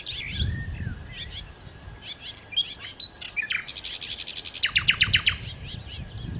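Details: Nightingale (sikatan londo) singing energetically as a lure: twittery chirps and whistles, then a rapid high rattle of repeated notes leading into loud descending strokes, with low rumbling noise in the background.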